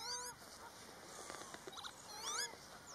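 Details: Pied avocets in a breeding colony in the Netherlands during mating season, aggressive birds chasing black-tailed godwits; sharp, clear whistled notes in quick bursts, a cluster at the start and another near the end, with softer calls between.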